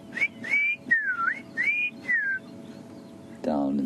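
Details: At sunrise on 29 December at Djuma Private Game Reserve, South Africa, a Black-crowned Tchagra gives five clear, slurred whistles, some rising and some falling, over about two seconds; a man's voice starts at the end.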